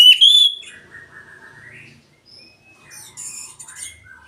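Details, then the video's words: Oriental magpie-robin song played to provoke a reluctant bird into singing: a loud high whistled opening note, then a long sliding lower whistle and a scatter of bright chirps and warbled high notes. "pancingan Kacer bahan susah bunyi"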